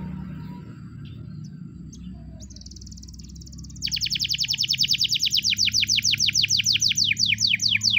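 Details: Spanish Timbrado canary training song in the morning: after a quiet stretch with low hum, a short buzzy trill leads into a loud fast run of repeated downward-swept notes lasting several seconds.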